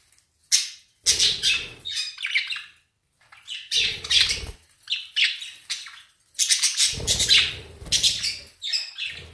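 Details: Budgerigars with basil give chatter, bursts of scratchy, high chirps and squawks separated by brief pauses.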